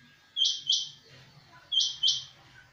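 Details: A small sparrow giving short, bright chirps in two close pairs, each pair a quick double note, with a pause of about a second between pairs; otherwise quiet background.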